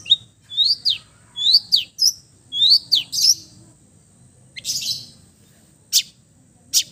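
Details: East Java long-tailed shrike singing a relaxed song packed with mimicry, played to coax silent birds; paired rising-falling whistled notes repeated several times, then sharp, scratchy high chips after a pause.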